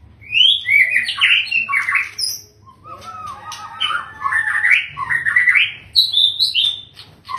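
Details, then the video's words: Long-tailed father white-rumped shama singing well: varied, rich whistled phrases rising and falling, with some harsher notes, one phrase running into the next. "CHIM CHÍCH CHÒE BỐ ĐUÔI DÀI HÓT HAY"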